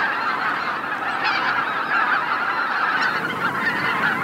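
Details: Roost flight of greater white-fronted geese at Miyajima-numa, Bibai, Hokkaido, Japan, in 2016. Continuous massed honking from a huge flock. Occasional sharper yelps break through the dense, even chatter.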